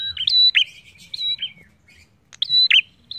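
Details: Energetic prinia song of the kind played as a lure to set other birds singing: rapid, loud, high-pitched chips and short whistled slurs in two tight bursts with a brief gap, plus a soft low hum.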